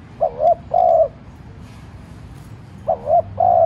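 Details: Light urging coo of a decoy spotted dove, used to provoke wild doves into calling. Two soft low phrases separated by a pause, each two short coos followed by one longer note.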